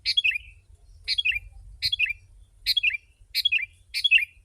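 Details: Six brisk, gurgling phrases from a sooty-headed bulbul in full, busy song meant to draw in wild birds. Each is a compact chatter of mixed notes, repeated at quick, fairly even intervals.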